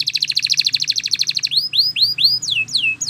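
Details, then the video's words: Spanish Timbrado canary training song: a fast metallic trill of rapid repeated notes for about one and a half seconds, then a slower series of rising-then-falling whistled swoops, each lasting a fraction of a second. "Canary Singing Bird Sounds"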